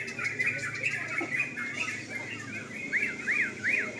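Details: Night singing contest of sooty-headed bulbuls: an overlapping chorus of chirping phrases, ending with three clear, arched whistled notes repeated roughly every half second above the crowd of other singers.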